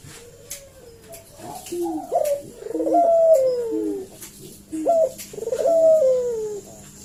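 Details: Repeated coos of a lively puter collared dove used as a lure to make other doves reply: several phrases of a short note followed by a long falling coo, with quieter lower coos alongside and a faint steady hum beneath.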